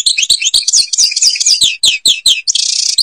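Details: European goldfinch, Algeria, Babas forest at Tiberli: lively repeated slurred twitters and chirps in quick sequence, ending in a harsh, buzzy rattling phrase.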